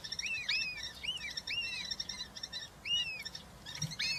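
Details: European roller nestlings, three chicks, calling at a nest as adults bring food, Hungary, 20 June 2023; dense run of arched, grating upslurred-downslurred calls overlapping one another, with faint rustling.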